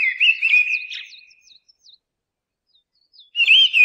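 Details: Mistle thrush delivers a brief warbled phrase of bright whistles that fades out, then a pause before the next loud fluted phrase begins.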